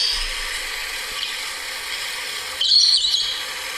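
Rusty-faced Parrot giving a single brief, harsh, high call near the end, over steady hiss for most of the recording.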